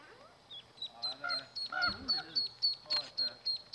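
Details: Mallard ducklings give a steady series of high, thin peeps, about four each second, each note a short downward-slurred chirp, with faint lower voice-like sounds mixed in partway through.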